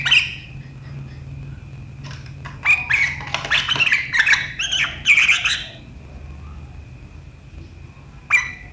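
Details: Sooty-headed bulbul chattering sharply in riwikan style on 7 April 2023; a single note, then about three seconds of fast, jumbled scratchy notes, followed by quiet and one last call.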